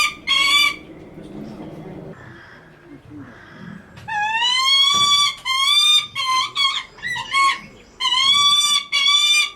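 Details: A captive lanner falcon at Kakegawa Kacho-en bird park gives loud, harsh, slightly rising wailing calls, repeated in bursts of about a second, after a brief quieter stretch of background murmur; it calls affectionately to a keeper it loves.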